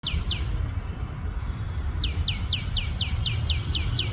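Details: In India, a tiny tailorbird gives loud, sharp, downslurred chirps: two quick notes, a pause, then a fast run of about nine at roughly four per second, over a low rumble of traffic.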